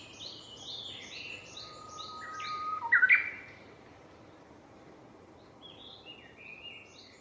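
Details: A Japanese bush warbler singing repeatedly on 6 May 2017 gives one song: a long, steady low whistle ending in a loud, quick rising-falling flourish. Other birds, possibly Chinese bamboo partridge, call high and repeatedly behind.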